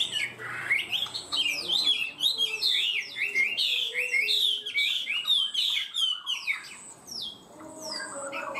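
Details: Chinese hwamei singing in a high style, starting quickly and steadily: a dense run of loud, varied whistled phrases with rapid up-and-down slurred notes, about two or three per second, with a faint steady high tone behind.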